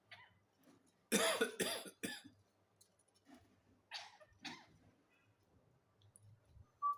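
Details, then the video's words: Parrot imitating a human cough: a cluster of three harsh, breathy, broadband coughs in quick succession, a pause, then two softer coughs, with near silence between bursts. "Parrot coughing like humans"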